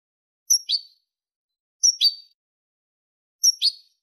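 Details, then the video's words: European goldfinch from a 2023 clean-song recording: three evenly spaced, high, clipped double chirps about one and a half seconds apart, each a sharp falling note followed by a quick second note; nothing else audible. "canto del jilguero limpio"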